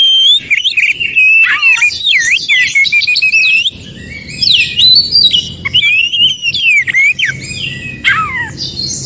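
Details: Wild Oriental magpie-robin from the forest, its song used to spur stalled magpie-robins into singing: a fast run of looping whistles and slurred notes, some harsh buzzy elements, then a quieter stretch with faint background hum.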